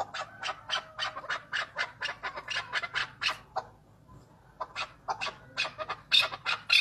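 Chukar partridge giving harsh, clucking broadband notes in rapid bursts, about two per second, with a brief pause midway before the calling resumes.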